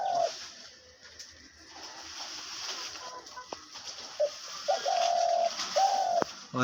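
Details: A pet hunting (decoy) dove, which its owner says calls day and night, gives two or three hollow, even coos, each about half a second long, near the end. A man talks over a faint background hiss. Dove.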